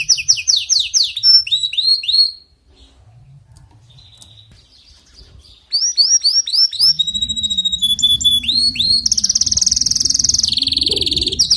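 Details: Canary singing a run of rapid downslurred chirps that breaks into about three seconds of near silence, then resumes with varied whistles, steady held tones and a dense buzzing roll, over a faint low hum.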